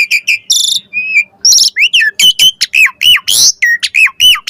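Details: Asian pied starling song used as a lure to make other starlings answer, packed with varied phrases: clear whistled upslurs and downslurs around the upper register, broken by a buzzy harsh burst and quick chirps in a steady, chattering flow.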